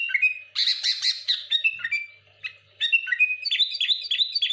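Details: Sooty-headed bulbul singing aggressively at rival bulbuls: a loud rasping chatter followed by quick whistled chirps and a fast rising-and-falling series of notes.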